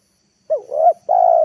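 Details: Decoy spotted dove calling in the afternoon to draw wild doves down to the ground. Two quick soft hoots run into a sustained, even coo that is cut off at the end. No other sounds.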